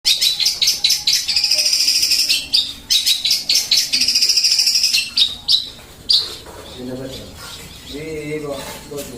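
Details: Sparrow calling in sharp, high chirps repeated rapidly in bursts, fading into softer scattered notes with low murmuring in the background near the end.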